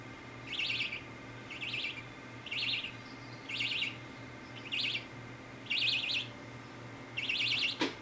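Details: Young budgerigar chick during a head scratch, chattering in seven rasping, trilled chirps about one per second, with a steady low hum and a sharp click at the end.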